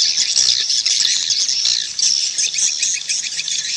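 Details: Swiftlet call: dense, continuous high buzzy chattering and twittering with rapid irregular chirps throughout, loud and steady, no other clear sounds.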